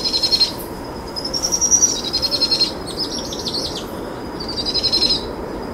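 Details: Powerful owl chicks, two of them, trill insistently while their mother feeds them possum after dusk; high, rapidly pulsed trills run almost continuously in overlapping bursts, some wavering in pitch, over low background hiss.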